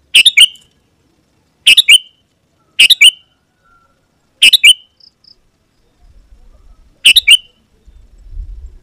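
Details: Sooty-headed bulbul singing to call an opponent, making wild birds reply and come near. Clipped, bright phrases, each a chirp followed by a short descending whistle, repeated at uneven gaps, with faint low rumbling near the end.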